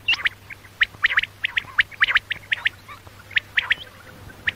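A female common quail gives quick, sharp, high chirping notes in irregular bursts, several per second, against a faint low hum.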